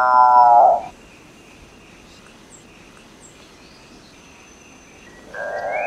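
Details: Capuchinbird (Perissocephalus tricolor) song: a low, droning moo fades out in the first second, then after a long quiet gap with a thin steady insect whine another moo begins.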